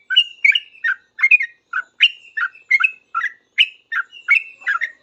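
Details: Sooty-headed bulbul responding quickly to another bulbul with a busy, noisy song: rapid bubbly chirps and slurred whistles, around a dozen notes in five seconds, nothing else audible.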